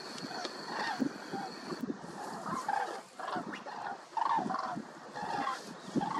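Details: A flock of Common Cranes (Grus grus) flying at sunset on 29 September 2021 over the Hrodzenskaya Svislach nature reserve in western Belarus. They give loud, rolling, trumpeting flight calls overlapping about every half second, with a faint steady high whine early on.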